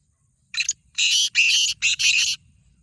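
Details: Kala teetar calling a single close, loud phrase of five grating, noisy notes, the middle ones long and buzzy.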